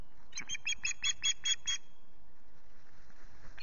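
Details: Nest-camera recording of an osprey at Loch Garten, morning of 19 April, reacting to multiple intrusions: a rapid run of about eight loud, harsh chirps, evenly spaced, over faint background rustle.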